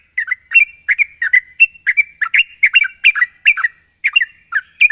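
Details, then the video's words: Sooty-headed bulbul (trucuk) lure to get birds singing fast and nonstop: loud, clear chirping notes in quick succession, rolling and slightly buzzy, a short pause midway, then more of the same bright chatter. "pancingan burung trucuk bahan agar cepat ngropel"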